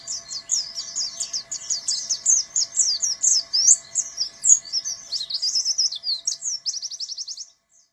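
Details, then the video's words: Buxton's white-eye in canary-style bursts (tembakan kenari): a dense, high, rapid chatter of mixed chirps. It finishes with a quick even trill, then falls silent. "BURUNG PLECI BUXTONI (TEMBAKAN BURUNG KENARI)"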